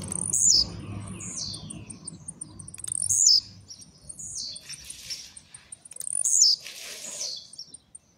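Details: Caged blue-black grassquit, a new household bird coming out of molt, singing with trincadeira and speed: high buzzy descending bursts repeated about every three seconds, with a faint steady high ticking throughout and low rumble beneath.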